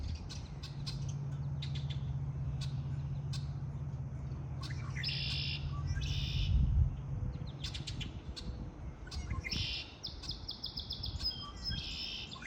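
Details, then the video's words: Springtime birdsong with short high trilled bursts and scattered sharp clicks and chirps, becoming busier toward the end; a low hum runs through the first half. "آوای آرامش بخش پرندگان در بهار"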